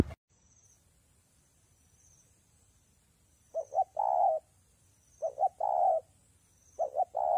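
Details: Spotted dove cooing in rainy, windy weather: after about three seconds of quiet, three low, hollow phrases, each two or three short notes and a longer drawn-out coo, roughly every one and a half seconds.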